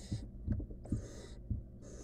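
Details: Barn owl nestling in a wild nest box, attempting to eat a stolen rodent by itself: harsh breathy hisses alternating with soft low thumps and shuffling sounds.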